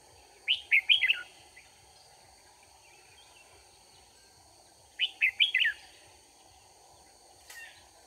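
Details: Red-whiskered bulbul recorded while trapping with a decoy bird, 4 March 2019: two matching bursts of quick, liquid, slurred whistles about four and a half seconds apart, a faint note later, constant high-pitched hum behind.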